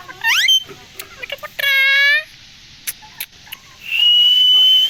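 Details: Pet rose-ringed parakeet in India, a talking parrot, giving a descending harmonic squawk, then a long, rich, nasal harmonic call, scattered clicks, and a steady high whistle at the end.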